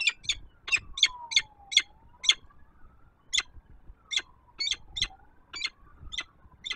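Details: Female peregrine falcon calling from her nest on the Palace of Culture and Science, Warsaw, Poland, early morning of 19 September 2024, before stepping to the gallery and flying off; about fourteen harsh, buzzy notes in uneven bursts over a wailing siren.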